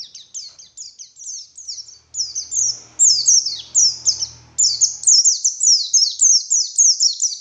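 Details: White-eye singing a morning lure song, continuous high trilled chains of falling whistles, slightly softer in the middle where a faint low rumble sounds, then loud again.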